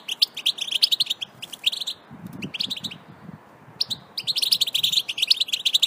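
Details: European goldfinch song played to prepare birds for breeding: bursts of rapid, tinkling high twitters and chirps, pausing around two to four seconds, with soft low thumps in the gap.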